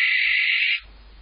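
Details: A barn owl visiting a nest box in March, calling for a mate, gives a single harsh, hissing screech under a second long, then quiet background hiss.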